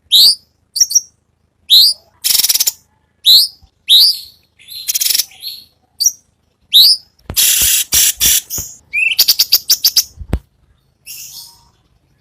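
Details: Training master of cucak cungkok for contest songbirds such as murai batu and cucak ijo: sharp high chips, hoarse buzzy rasps, and bursts of fast stuttering clicks follow each other in an irregular, varied sequence.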